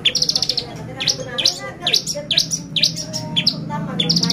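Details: Bar-winged prinia song played as a lure to excite other birds: rapid high trilled bursts alternating with sharp rising upswept notes, repeated through the stretch over a faint low hum.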